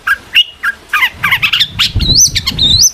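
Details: Long-tailed shrike song meant to draw an answer from other shrikes: mixed harsh chatter and slurred whistles, ending in clear rising and falling high whistles, with low rumbling background noise.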